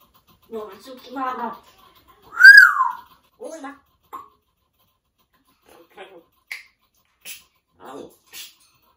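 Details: Male pet African grey parrot vocalizing indoors: speech-like mimicked syllables around a loud, sweeping whistled note that rises then falls, followed by scattered short clicks and chirps.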